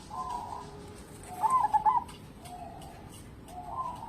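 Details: Local zebra dove singing actively, a song used as a lure to prompt other birds to sing: soft, low cooing phrases with a stuttering, trilled middle, four phrases in quick succession, the second loudest, over faint background hiss.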